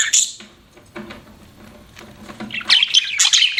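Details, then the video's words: Pet budgie: a sharp chirp at the start, a quiet stretch with soft faint sounds, then a lively closing burst of high squeaky chirps and whistled notes. "BUDGIE CHIRPING SOUNDS"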